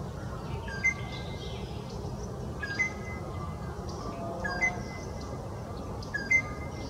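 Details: Greater racket-tailed drongo mimicking the call of a Rufous Treepie: a flat, clear whistled note with a short downward hook, repeated four times about every two seconds over steady low background hum.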